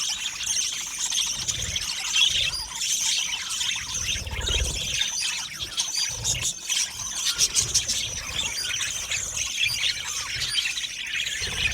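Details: Aviary colony of Australian budgies singing together, a steady wash of high chattering warbles and squeaky chirps from many birds, with brief sharper clicks and squeals rising above the mix.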